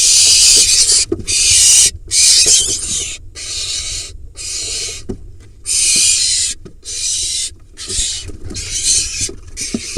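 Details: Hissing, screechy begging of a barn owl nestling badgering the male that just delivered a mouse, Hula Valley nest box, Israel; rapid uneven run of harsh bursts, some long and some clipped, with soft rustles and scratches between.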